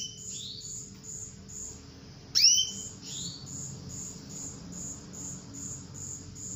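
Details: A female canary's luring call, given to coax a male to sing: one loud, sharp, high upward-sweeping note with a lower accompanying tone. It is preceded and followed by soft rising whistles against a continuous faint high beeping.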